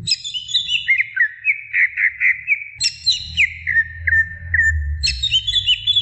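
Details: A female greater green leafbird calling to a male: a rapid run of sweet, clear whistled notes that slur downward, repeated in bursts about every two seconds, with a faint low hum beneath.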